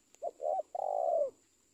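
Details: Spotted dove cooing: two short soft coos followed by a longer drawn-out purring coo, low and mellow, with a steady high electronic whine in the background.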